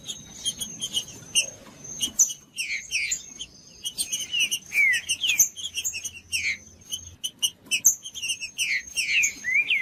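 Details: Green-winged saltator singing the judas style to excite a quiet captive bird: scattered chirps and clicks, then dense runs of slurred whistles in uneven bursts, over a continuous thin high-pitched hum.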